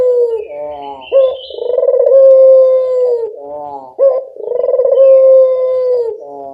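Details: Local collared dove lure call, meant to draw other doves into answering: deep, throaty coos with a hollow, buzzy onset, each phrase swelling into a long steady note, repeated roughly every three seconds, with no other sounds.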